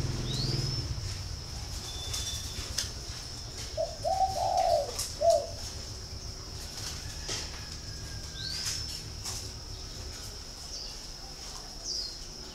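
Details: Spotted dove cooing once mid-recording, a brief run of soft, low, rounded notes. Faint thin high chirps from other small birds and a steady background hum surround it.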